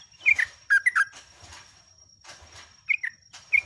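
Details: Sooty-headed Bulbul song used as a training lure for captive birds: short bursts of two or three bright, slurred whistles separated by pauses, with a faint constant high-pitched tone and low knocking underneath.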